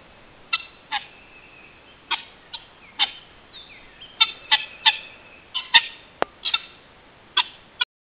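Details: Harsh, scratchy calls from guineafowl in uneven clusters, several birds possibly overlapping, with a single sharp click partway through and a quiet gap near the start.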